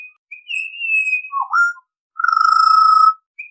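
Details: Melodic whistling from a Pied Butcherbird: a long high note, a downward-dipping swoop, then a sustained lower, slightly throbbing whistle, all clean and clear.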